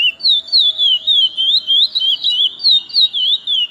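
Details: Chestnut-bellied seed finch, or curió, in steady whistled song, each note a pure undulating slur, strung together without pause in a rapid flowing phrase.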